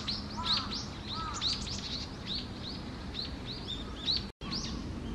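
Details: Wild Japanese tit at Okurayama Park: a busy run of short, high arched chirps, many overlapping and repeated several times a second, with some fainter lower double notes and a steady low background hum.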